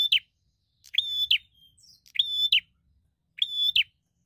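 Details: A singing bar-winged prinia, a fighter seeking a rival, delivers three loud buzzy notes, each a level rasp closing with an abrupt accent, with a soft thin whistle between them and low background murmur.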